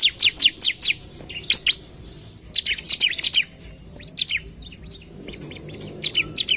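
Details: A bar-winged prinia, calling briskly to rouse rival birds, repeats loud, high, steeply descending chirps in quick series, with a jumbled chattering burst in the middle and a few softer notes near the end.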